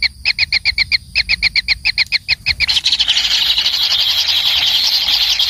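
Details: Kingfisher young begging from a feeding parent: crisp, high double-toned chips in quick succession, then merging into a loud, continuous wheezy hiss.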